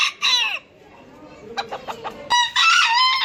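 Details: A short raspy rooster crow falling in pitch, quieter clucks and scraps of sound, then a loud sustained crow held steadily to the end.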